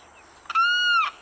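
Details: A Limpkin in Florida freshwater wetlands gives one very loud, ringing wail, held steady for about half a second and ending in a harsh, breaking catch. Faint background hiss.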